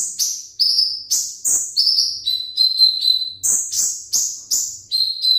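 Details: Caged sunbird, known locally as kolibri ninja, singing eagerly as if ready for a songbird contest: high, thin whistled notes that slide downward and settle on a steady tone, about ten delivered in quick succession.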